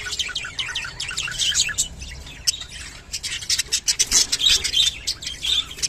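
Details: Mating call of kept rainbow budgerigars: quick, irregular bursts of sharp chirps and scratchy squawks, about three per second, with a brief lull before rapid chatter resumes.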